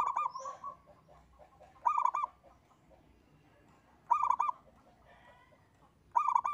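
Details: Local zebra dove singing in the engkel style, used as a lure to prompt other birds to sing: three short, bright, rolling coo phrases, each about half a second, repeated roughly every two seconds over a soft murmur of background noise.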